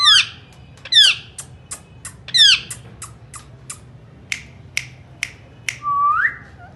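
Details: Ringneck parakeet, a talking pet parrot, giving three loud harsh descending screeches among a string of sharp clicks, ending with a smooth rising whistle.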